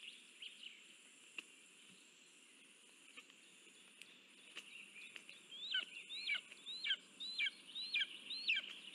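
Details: Lesser spotted eagle nest during a food delivery, 9 July 2024: quiet rustles and clicks at first, then a quickening run of about six high, hooked yelping calls near the end.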